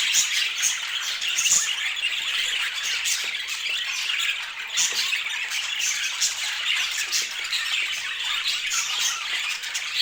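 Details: Stunningly coloured pet budgies chatter without pause, an even carpet of high scratchy chirps, clicks and squeaky warbles from many birds together.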